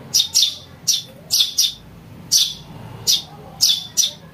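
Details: Young house sparrow calling, used to lure birds: insistent, harsh, high chirps, mostly in close pairs, about ten in four seconds, clear against a quiet background.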